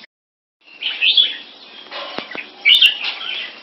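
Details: Two caged red-whiskered bulbuls, Singapore-kept champion-bloodline mutant crossbreeds, in competing display: a short silence, then two chirpy warbled bursts about a second and a half apart, with clicks between them.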